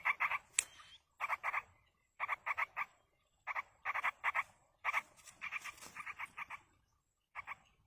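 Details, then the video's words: Wild yellow-vented bulbul chicks being fed by a parent: short harsh nasal notes in quick bursts of three to five, repeated every half second to a second, with brief silent gaps. "indukan burung trucuk meloloh anakan di alam"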